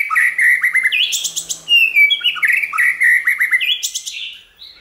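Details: White-rumped shama singing a many-voiced song used to stimulate and train shamas to sing; continuous rapid warbling of clear whistled slurs mixed with sharp high chips and falling notes, barely pausing.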